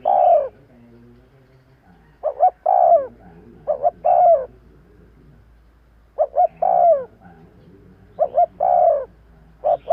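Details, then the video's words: Luring call of a spotted dove, mellow coos in phrases of two or three short notes ending in a drawn-out falling coo, repeated several times with brief gaps and another fainter cooing echo. "Tiếng chim cu gáy kèm kích bổi nhanh nổi - Suara yang menarik suara Tekukur Enak Didengar Buat Pikat"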